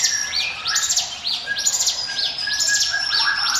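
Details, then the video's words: Ciblek gunung, a mountain prinia, giving its 'ngiwit wit' lure song: rapid series of thin, arched high chirps in bursts, mixed with steady lower whistles. "NGIWIT WIT SUARA CIBLEK GUNUNG SIAP JADIKAN PANCINGAN MU"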